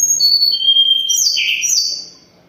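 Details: Sunda robin still in full song during its moult: clean sustained whistles descending in steps, then two quick buzzy slurred phrases dropping in pitch, trailing off to quiet.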